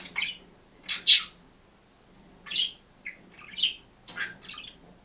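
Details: Green budgerigar singing and chirping alone in its cage, a lively string of scratchy chirps and warbled notes rising and falling, spaced unevenly across a few seconds indoors.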